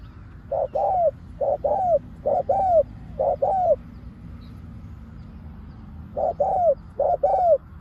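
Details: Spotted dove used as a decoy for catching wild doves, calling in pairs of coos, a short note then a longer falling one, repeated about every second, with a quiet gap midway.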